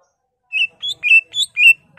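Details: Caged greater green leafbird in full song, played to stir another bird to sing: five bright, high whistled notes alternating between two pitches, short and evenly spaced.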